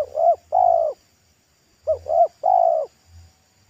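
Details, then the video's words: Local wild spotted dove singing loudly by a road in the pesom manner. Two close phrases, each a pair of brief coos then a long steady coo, with low thudding sounds underneath. "TEKUKUR LOKAL RASA PESOM"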